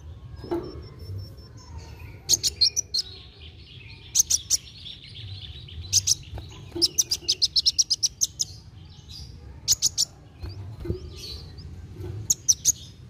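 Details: Dark sunbird (kolibri wulung) singing in a lively, rapid style, used to stimulate young birds to sing: bursts of very high, sharp ticking and twittering notes in quick clusters, with thin high whistles between them over a low steady hum.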